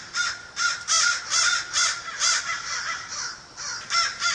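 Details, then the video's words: American crow cawing, about nine short harsh caws delivered at a steady pace of roughly two per second, hoarse and nasal, with a brief lull near the end. "american crow"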